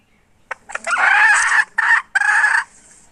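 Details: Hen from 2021: a couple of short clicks lead into a loud, coarse squawk, then two more harsh bursts in quick succession, fading to quiet.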